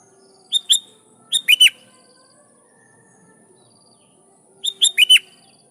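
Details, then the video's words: Sooty-headed bulbul singing hard to call rivals and provoke wild birds to reply: a pair of clear notes, then a three-note rolling phrase, and after a pause another three-note phrase. "Suara Burung Kutilang Gacor Memanggil Lawan || Kutilang liar nyaut dan GACOR"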